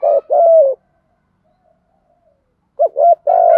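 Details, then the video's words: Spotted dove cooing in the prized 'thổ thúc gù' voice, recorded to train decoy birds; a short rough note and a longer low coo, a silent gap, then two quick clipped notes leading into a drawn-out steady coo. "cu gáy giọng thổ thúc gù, giọng đặc biệt hay dúp anh em tập bổi mỗi ngày"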